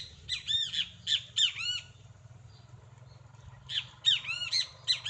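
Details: Great kiskadee pair in nature: two bursts of rapid, raspy arched squawks, each burst of several notes, separated by a quiet gap of about two seconds, with a faint low background hum.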